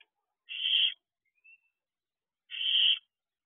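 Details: Barn owl owlets out of the nest box at night, 3 am; two long rasping screech-hisses two seconds apart with a tiny faint squeak between, in a quiet setting.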